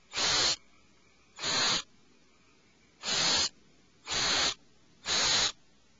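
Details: Five harsh breathy screeches, about one per second, come from owlets calling in alarm inside their nest cavity.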